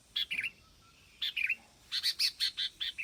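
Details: Red-vented bulbul song: short, bright chirping notes in small clusters, then a quicker run of about eight clear, bubbly notes near the end, against a quiet background.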